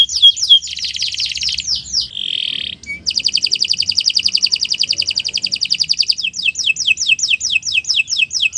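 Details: Morning canary song prepared for training other birds: a quick chattering start, a brief tonal note, then a long, even, buzzy trill that switches into repeated bright falling whistles.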